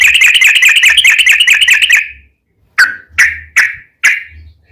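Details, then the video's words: Yellow-vented bulbul lure recording: a fast rattling trill lasts about two seconds, then after a pause come four sharp, downward-sliding chips evenly spaced. "trucukan gacor ROPEL PANJANG buat pancingan trucukan agar bunyi"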